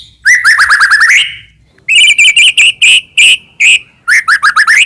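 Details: Medan white-rumped shama singing energetically, used as a lure to make other shamas sing: a rapid trill of rising whistles, then spaced clear notes at one pitch, ending in a fresh run of quick upslurred whistles.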